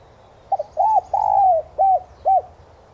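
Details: Lure recording of a spotted dove for training caged birds to call: a single cooing phrase of a brief stutter, one rounded note, a long sustained coo and two short final coos over faint background hiss.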